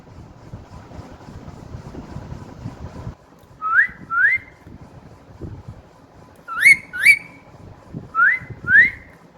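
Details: Newly whistling pet parrot repeats short upswept whistles in pairs, three pairs in all, the middle pair louder and harsher, with faint low hum between them.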